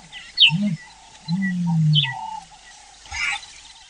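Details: Low booming notes from a common ostrich, a short one then a longer sustained rumble, as other birds chirp sharply in the background.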